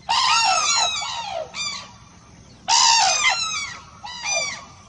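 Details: Crane calls in pairs: a long, loud, rolling trumpet followed by a short, clipped note, the pattern repeated twice.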